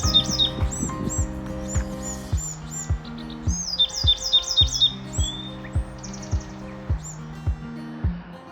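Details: A Bewick's wren perched up and singing at Nisqually National Wildlife Refuge by the Puget Sound, Washington, during a midday walk, gives high, quick phrases of sharp chirps and buzzy trills in bursts, over steady background music with a thumping beat.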